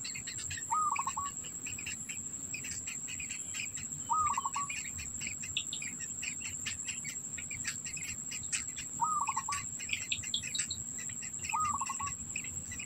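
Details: Black bittern at the nest as an adult keeps food in its mouth for the young; brief rattling trills recur about every three to four seconds over a dense chorus of high ticks and a constant insect drone.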